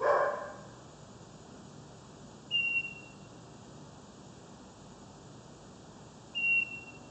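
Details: A bird calling at night in Kuching, East Malaysia: two short, steady, high whistled notes about four seconds apart, over a constant hiss and hum.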